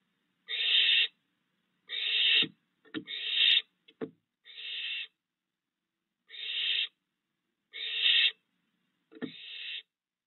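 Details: Barn owl family in a yard at night, 22 June 2022, with three fledged owlets and the father still bringing food, gives harsh, breathy hissing screeches about half a second long every second or two, with sharp knocks and taps.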